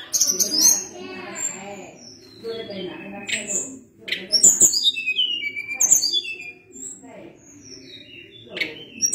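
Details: Energetic Sunda blue robin song mixing rapid chattering notes, buzzy bursts and clear high whistles sliding downward, with faint talking in the background near the start.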